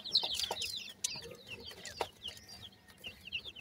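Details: Teetar (francolin) chicks while feeding make rapid, thin, downslurred peeps, a few loud close ones first, then quieter ones, with sharp taps mixed in.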